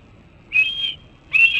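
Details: Red-tailed hawk nestling perched for hours on the nest rail at Cornell, calling for food, June 28, 2012, 12:24 pm EDT: two loud, clear whistled notes, each about half a second long, slightly rising then held, separated by a brief pause.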